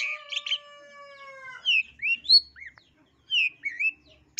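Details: Long-tailed shrike master song from East Java, played to make birds sing aggressively: opens with a long level whistled tone, then short slurred whistles and sharp chips come in uneven bursts with brief pauses.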